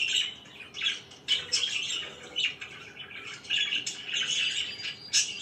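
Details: Budgerigars kept as pets chirping in the morning, a busy run of high scratchy chirps and squawky notes in uneven bursts, swelling louder toward the end.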